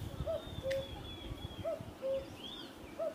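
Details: Wild bird calling: short clear whistled notes alternating between a slightly rising and a flat tone, repeated roughly every second, over low rumbling background noise and a faint higher whistle.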